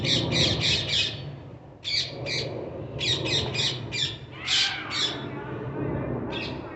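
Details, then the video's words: Parrots giving harsh, buzzy squawks in rapid runs of three to five, with short pauses between bursts and a low rumble of background noise underneath. "Parrots making their sounds"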